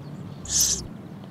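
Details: A young, well-fed sparrow that begs from morning to night and keeps its mother busy, though it can peck food itself, gives one brief, harsh, hissing begging note, high-pitched and under half a second, over quiet low background rumble.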